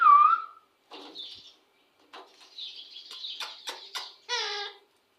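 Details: Indian ringneck parakeet that talks: a loud clear whistled note, then scratchy chattering bursts and clicks, ending with a harsh nasal syllable full of harmonics. The room is quiet apart from the bird.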